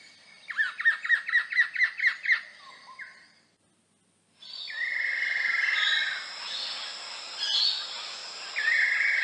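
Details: Buff-breasted paradise kingfisher at the nest during feeding, an elusive migrant: a fast run of repeated downslurred whistles, a pause, then long level trilling whistles over a hissing background of insects.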